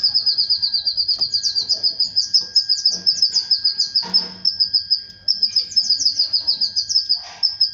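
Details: Canary song tied to a male mating with its female: a continuous, fast, high rolling trill with slight changes in tempo, and a few faint rustling sounds in the background.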